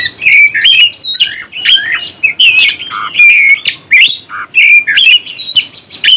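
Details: Caged oriental magpie-robin in full song used to rouse other birds: dense run of sweet whistles, rising and falling slurs and harsher chattering notes, loud and close.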